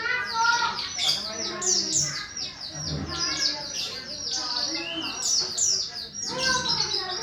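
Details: Morning song of a Javan bush lark: fast, high, scratchy chirps and clipped whistles packed into a continuous varied stream, with brief lower harmonic notes mixed in and a short low thump near the middle.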